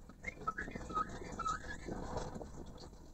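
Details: Male Chinese hwamei singing: a run of short clear whistled notes, some flat and some rising, about twice a second in the first two seconds, then a fainter murmur over steady background hiss and low rumble.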